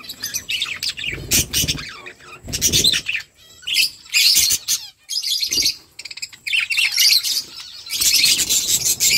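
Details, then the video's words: Budgerigar flock eating and chirping; loud continuous warbling chatter from several birds, interrupted by rustling and scraping sounds. "Beautiful budgies flocks birds chirping sounds budgie eating"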